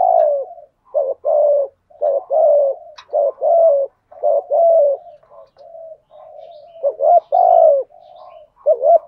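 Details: Decoy spotted dove in a cage, cooing to draw in wild doves, gives a rapid, near-continuous run of mellow, hollow coos, roughly one phrase per second, with soft murmurs in between.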